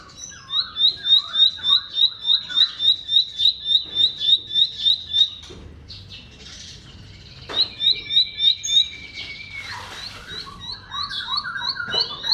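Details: Bar-winged prinia (ciblek) song phrases used as a lure for silent birds: a run of about fifteen sharp, high chirped notes at a steady quick beat, a pause with softer twittering, then a brief buzzy phrase and more scattered high chirps.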